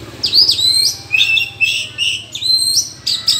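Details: Oriental magpie-robin singing in a forest during a singing duel with rivals: loud, clear whistled phrases, rising and falling sweeps and slurred notes in quick bursts separated by short pauses, against a faint low hum.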